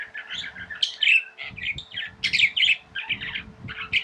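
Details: Budgerigars kept as tame pets chirp in a busy run of buzzy, squeaky warbled notes, a few sharp high whistles standing out, backed by soft rumbling movement noise and a low hum.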